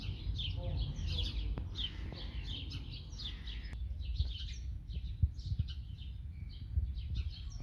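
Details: Singing birds pour out bright, fast chirps and short twittered phrases, with a constant low rumble underneath and a few soft knocks toward the end.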